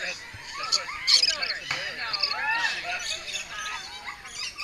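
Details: Several lorikeets bicker at feeding time, a continuous stream of shrill, grating shrieks and chatter, with a person speaking over the birds.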